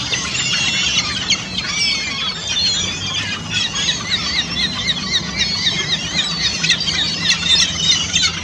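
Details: A flock of ring-billed gulls plunge-diving and feeding on abundant minnows on Lake Simcoe, Barrie, Ontario, on 11 December 2015, keeps up a constant din of high, squealing, overlapping mews over a low rumble.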